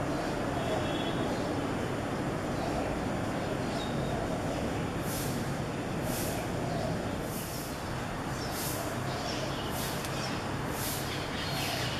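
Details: Steady low rumble of a passing train or heavy vehicle, with faint high hissing bursts like air brakes and no clear animal voice.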